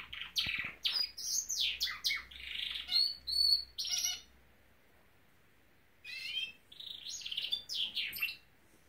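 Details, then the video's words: Norwich canary singing a burst of loud trills and sharp whistled notes, falling silent for about two seconds, then resuming with softer chirped phrases. "Nowrich Canary singing!"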